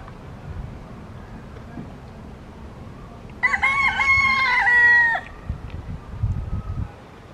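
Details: One of two yellow-legged gulls lingering for dropped fries in the picnic zone of Parque Marechal Carmona, Cascais, gives a single loud, drawn-out, nasal mewing call of nearly two seconds amid quiet low background noise.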